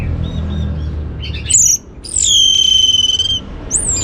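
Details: Singaraja, north Bali orange-headed thrush giving a lure song to excite other birds: loud piercing high whistles, a long steady whistled tone with a buzzy edge, then a rising slurred note, after a softer low-hum start.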